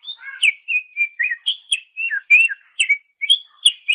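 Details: Continuous chattering song of a greater green leafbird, recorded as a master for training songbirds, made of quick varied whistled notes, slurs and chips running without a break and mostly high in pitch.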